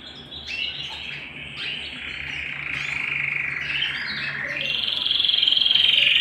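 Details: Canary singing at home: varied chirps and sliding notes building into a loud, sustained buzzy rolling trill at the end.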